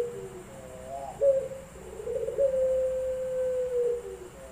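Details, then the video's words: A Barbary dove (Puter Pelung) in an online cooing contest in Semarang, Indonesia, on 7 August 2021 gives a low, hollow coo: a short opening note, then a long, steady drawn-out tone, over faint electronic hiss. "Puter Pelung"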